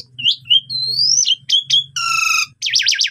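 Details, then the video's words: Asian pied starling in a training song: rising whistles, a long climbing whistled note, a rich buzzy harmonic tone, then a rapid zigzag trill, with a faint low hum beneath. "Masteran Jalak Suren Gacor Full Isian"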